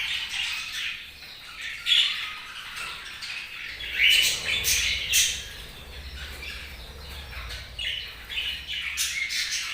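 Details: Budgerigars chirping: a dense chatter of high squeaky chirps and warbles with short buzzy notes, several birds calling at once and overlapping throughout.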